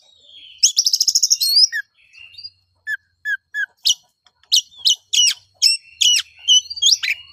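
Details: Fighting-style song of an oriental magpie-robin, meant to rouse rival birds: opens with a fast high trill and a rising whistle, then short separate chirps and sharp downward-swept notes repeated roughly every half second.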